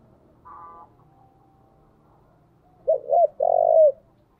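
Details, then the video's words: Spotted dove kept as a decoy calls once. A faint buzzy tone comes first, then two quick coos and a drawn-out vibrating coo ending in a downward slide. "Chim cu gáy gọi // tiếng chim cu gáy mồi chuẩn cực hay vang một vùng"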